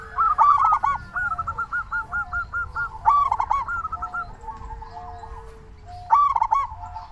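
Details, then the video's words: Zebra dove lure meant to make other doves start calling; a loud rolling coo followed by long chains of rapid repeated notes, and more rolling coos at about three and six seconds. "Perkutut lokal gacor suara paling ampuh untuk pancingan burung perkutut agar cepat bunyi"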